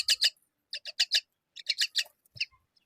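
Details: Brief grouped harsh squawks, two or three at a time, as a myna feeds fig to her babies, separated by short silences.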